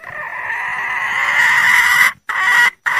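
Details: A hen red junglefowl calls to attract a male, giving a drawn-out, steady, raspy note of about two seconds, then two shorter notes with brief pauses between them.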